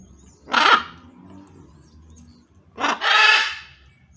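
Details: Wild blue-and-yellow macaws, a family with their baby visiting for breakfast and eating banana, give two loud, harsh, raspy squawks about two seconds apart over low outdoor rumble.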